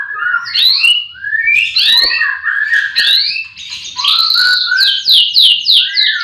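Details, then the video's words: Caged white-rumped shama in a breeding aviary on a morning when all the birds sing. Swooping whistled phrases rise and fall, then a quick series of bright downslurred notes repeated several times. "Pancingan murai batu di kandang ternak ll chirping magpie"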